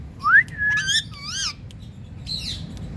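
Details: Indian parrot saying "Mithu", opening with a quick upward-sliding whistle, then a level whistled note and two wavering, nasal, harmonic syllables. A faint rough note follows near the end, over a quiet low hum.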